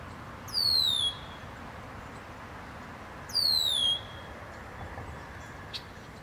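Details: A Red-winged Blackbird, recorded June 10, 2020, gives two high, slurred calls about three seconds apart, each a brief rough start dropping into a thin descending whistle, over steady background hiss.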